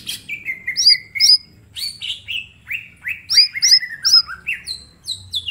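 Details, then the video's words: Caged mini green leafbird song used as a master for teaching other birds: rapid series of falling whistled slurs and high looping notes, about two each second, irregular in rhythm, with a low hum underneath. "Cucak ijo mini gacor full tembakan bongkar materi"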